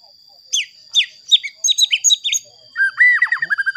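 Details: White-rumped shama song played to rouse other shamas, sharp high downslurred notes repeated, then a quick run of looping whistled notes at lower pitch.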